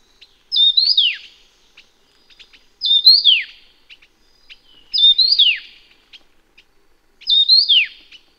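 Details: Taiwan yuhina, an endemic bird of Taiwan's low, middle and high mountains: four loud, clear phrases about every two and a half seconds, each a bright whistled note swooping up then sliding steeply down, with faint soft chips between.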